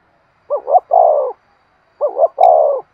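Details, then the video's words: Two clean phrases of spotted dove cooing in the excited 'thúc' style used to rouse decoy birds: a double hooked note, then a long, sliding-down coo, with a brief click in the second phrase. "tiếng cu gáy thúc sung dùng kích bổi tập mồi"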